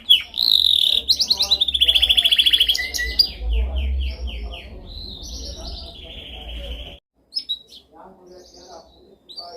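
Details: Canary song used for training: loud quick rolled trills, a run of descending whistled notes repeated several times a second, then quieter chirps and brief isolated notes after a short pause.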